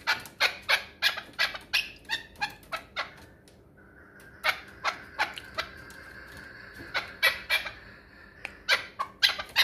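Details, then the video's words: Pamir chukar partridge kept for hunting gives a long run of rapid harsh chucking notes, briefly interrupted by a thin sustained tone before the clucking series resumes. "Кабки шикории Помир"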